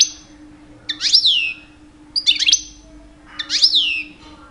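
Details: European goldfinch, two years old, singing in mating season to attract females: three spaced bursts of bright twittering notes with downward-slurred whistles, roughly one per second, against a faint electrical hum.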